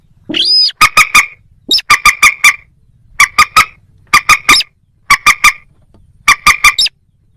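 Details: Moorhen giving bursts of three or four sharp, nasal kek-like notes about once a second after an opening long screechy squeal; no other clear sounds.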